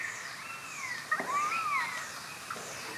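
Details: Pied Currawong calling at Takarakka Bush Resort, Carnarvon Gorge, Queensland, Australia, late morning of 21 July 2019, recorded on a Panasonic Lumix GH5 camera; faint, slurred whistles arching up then down, a soft ringing phrase over a quiet background hiss.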